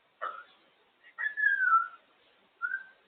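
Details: Indoor female African grey parrot playing on top of the cage: a harsh short squawk-like note, then a long clear whistle gliding slowly downward, followed by a brief higher whistle after a pause.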